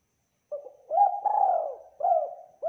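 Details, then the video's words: Spotted dove singing vigorously in a clear, full-voiced recording: a soft opening note, then a rising coo swelling into a long drawn-out coo, followed by a short final coo, all at a mellow middle pitch over a silent background. "MASTERING TEKUKUR GACOR SUARA JERNIH TEBAL MEWAH"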